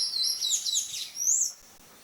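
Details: Buff-necked ibis (Theristicus caudatus) chicks beg for food with thin, high, squeaky calls that waver up and down for about a second and a half, then fall silent.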